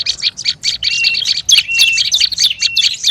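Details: Olive-backed tailorbird in noisy lure calling: a rapid burst of sharp, high chips mixed with several short, level whistles, busy and excited throughout the three seconds.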